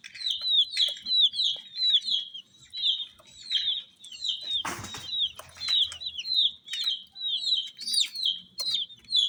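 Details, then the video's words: Colourful baby chickens chirping: a steady stream of high, thin, downward-slurred peeps, many overlapping, about one and a half a second, broken midway by a brief loud rustle or wing-flap. "Chicks Chirping"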